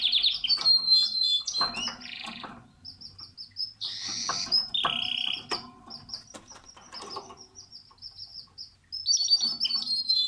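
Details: Nesting canary sings in bursts: warbled trills, a harsh buzzy roll, then evenly spaced short whistled notes, ending in a renewed tumbling trill.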